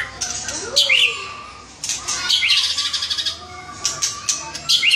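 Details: Murai batu (white-rumped shama) singing with gacor vigour: brisk upward-swept whistles mixed with dry rattling chatter and sharp high clicks, in rapid bursts.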